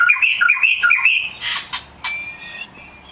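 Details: Oriental magpie-robin (kacer) lure song meant to make other magpie-robins answer: a fast series of repeated two-part whistled phrases, then sharp clicks and a thin sustained whistle.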